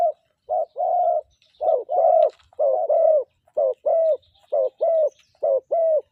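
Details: A spotted dove, used as a decoy bird in the morning, gives a run of soft, low, hollow coos, about one per second, in short burry phrases; other birds chirp faintly in the background.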